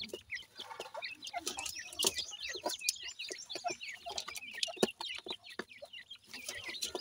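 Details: Grey francolin chicks at feeding time keep up a busy chatter of high, short chirps and twittering peeps, with scattered sharp pecking taps throughout.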